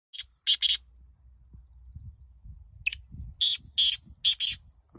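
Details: Black francolin (kala teetar) in a calling contest recorded on 12 January 2023; a harsh grating phrase of three rasping notes, a pause, then a sharp click followed by four loud rasping notes, with a low rumble underneath.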